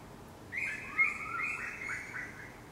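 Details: Four Eastern koels: a loud, strident, high-pitched run of notes lasting about two seconds, with a slightly lower voice overlapping, over a quiet background.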